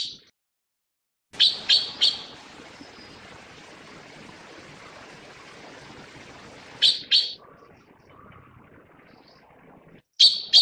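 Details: Taiwan blue magpie tending and feeding its chicks: short bursts of rasping, scratchy calls in groups of two or three, separated by long stretches of steady low hiss.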